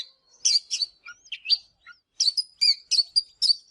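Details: Short, sparse morning phrases from an Oriental magpie-robin, for song training: a few clear whistles and a downslurred note, a brief pause, then a rhythmic series of scratchy chirps.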